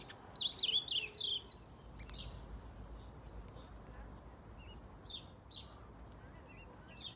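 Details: Azulão, the ultramarine grosbeak, in an aviary: an opening flurry of quick descending whistles, then sparse soft chirps and clicks against quiet background noise.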